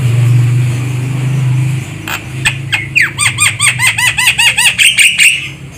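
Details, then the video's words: Javan myna call for luring birds during trapping: a low engine-like rumble fades, then sharp clicks lead into a fast series of harsh, arched squawks. "Suara burung jalak kebo untuk pikat"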